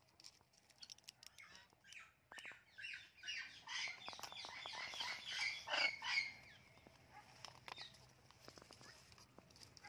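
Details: Talking pet blue and gold macaw in a beautiful garden chatters in a dense burst of scratchy, buzzy squawks building over several seconds before fading, with sharp ticks before and after.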